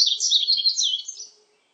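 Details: Yellow-throated bunting song, a recording credited to Korea's National Institute of Biological Resources, 2020: a high, rapid jumble of twittering notes lasting about a second and a half, with no other sounds.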